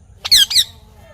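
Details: Parrot uttering a brief two-part squawk, a bright, harsh double note lasting under half a second.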